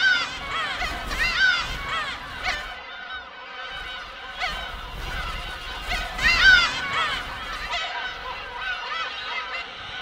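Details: Black-tailed Gulls at a breeding colony of about twenty thousand birds on the uninhabited island of Hongdo, off Korea's south coast, settling on nest sites amid fights over empty nests; many overlapping harsh, nasal mewing cries with low rumbling behind.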